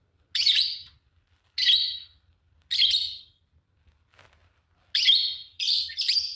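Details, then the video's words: Pair of green Fischer's lovebirds chirping: three evenly spaced harsh, high chirps about every 1.2 seconds, a pause, then a quick run of three louder chirps. "Lovebird singing and chirping sound, green fischer pair"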